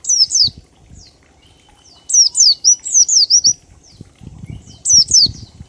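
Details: Oriental white-eye ngalas song of 1234 beats, used to draw other birds into singing: loud bursts of thin, very high falling notes, with a rapid run of repeated downslurred chirps midway and light rustling underneath.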